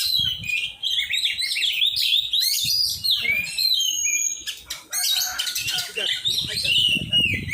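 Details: Oriental magpie-robin in a song training session, singing a dense stream of chattering, warbled and whistled phrases with brief harsh bursts and a short pause midway; faint low background noise.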